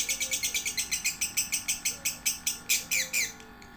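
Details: Lovebird chatter meant for training one-to-three-month-old young lovebirds: fast, sharp, high chirps in an even series, growing louder and more spaced toward the end before stopping, over a low steady hum.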